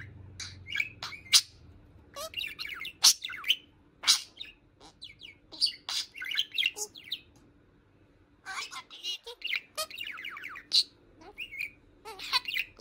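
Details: A talking pet budgerigar (Melopsittacus undulatus) chatters nonstop in rapid warbles, clicks and squeaky mimicked phrases.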